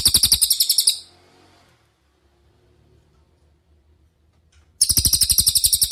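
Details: Cililin master song, played for training other songbirds such as magpie-robins, green leafbirds and kacer: a rapid, bright trill of evenly repeated high notes, about twelve per second, opens the recording and returns at the end after a quiet gap.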